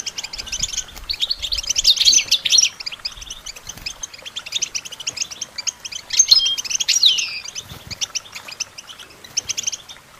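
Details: European goldfinch song for training songbirds: dense, rapid twittering of high liquid chirps in two loud bursts around two and six seconds, with softer chattering between and a faint low hum underneath.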